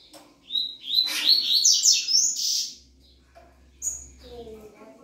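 A Double-collared seedeater sings a fast, high, twittering phrase of sweet whistles and buzzy notes for about two seconds, then adds a brief high note and a softer trill.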